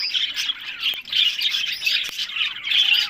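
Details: Pet breeding budgerigars from Larkana, Sindh. Loud, harsh, scratchy chattering with thin squeaky notes runs almost unbroken, with a brief dip near the middle.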